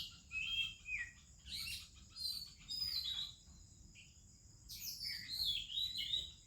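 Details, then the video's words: Oriental magpie-robin in melodious morning song in India with other birds: varied whistled phrases, descending slurs and twitters in bursts, over a constant high hum. "30 Minutes a ROBIN Chirping in the Morning"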